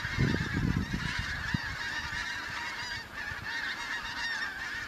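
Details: Migrant Pink-footed geese arriving for autumn in the Kelvin Valley, North Glasgow, 25 September 2021: many birds giving rapid, overlapping yelping honks in a steady chorus, with heavy low thuds early on.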